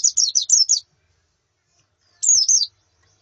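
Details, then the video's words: White-eye female and colony calling for training a male's song: a quick burst of four high falling whistles, a pause, then a two-note descending phrase. "Suara Pleci Betina dan Koloni Untuk Terapi Kicau Pleci Jantan"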